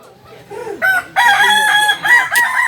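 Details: A native Kokok Balenggek chicken from Solok, West Sumatra (jalak and biriang types) gives a stepped crow: a short opening note, then a long bright sustained syllable, followed by two clipped tones.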